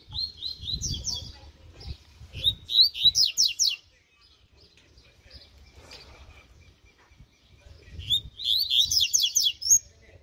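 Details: Spirited mutant double-collared seedeater in a training session, delivering two loud song bouts of quick, chattering downslurred notes separated by several seconds of near silence, with faint low rumble beneath.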